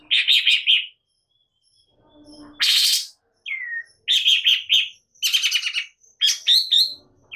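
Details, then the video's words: Long-tailed shrike, worked up and singing gacor nembak: buzzy rattling bursts and falling whistled slurs separated by brief silences, with one loud hissing burst in the middle. "Cendet Malas Bunyi Seketika Naik Emosi Gacor Nembak"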